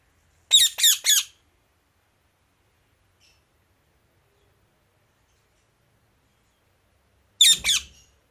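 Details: Indian ringneck parrot chirping: two bursts of harsh, high, rasping notes, the first a rapid triple and the second a shorter double, separated by about six seconds of silence.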